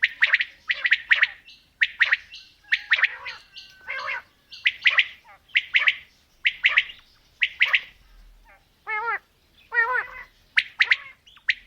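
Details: Female and male quail calling in a mix: a long run of sharp triple-note phrases roughly once a second, broken by two wavering, harmonic, descending notes before the triples resume.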